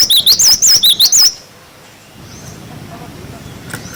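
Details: Cinereous tit song, a clear-voiced 'wucit wucit' recording used to tutor young birds: about seven quick, high, wavering whistled notes in just over a second, then a quiet background.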